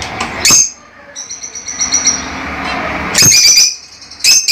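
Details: Lovebirds giving piercing chirps separated by a thin sustained high twittering, with a faint low hum beneath.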